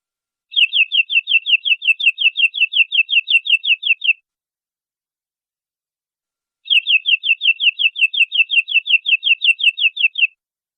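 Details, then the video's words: Domestic canary from a long song recording for training young birds: two separate bursts of rapid, evenly repeated sharp chirping notes, each about three and a half seconds long, separated by a pause of silence. "MASTERAN BURUNG KENARI PANJANG"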